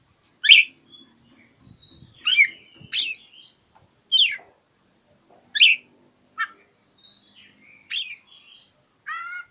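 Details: Oriental magpie-robin singing as if seeking a rival, meant to spur mute birds: sharp downslurred whistles and rasping notes in spaced bursts, thin steady whistles between, ending with a short rippling trill; faint low rumble underneath.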